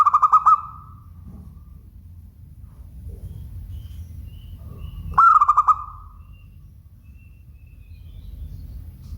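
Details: A local zebra dove repeats its song twice, about five seconds apart: each phrase a burst of rapid pulsed, ringing coos trailing into a softer tone, over a constant low rumble.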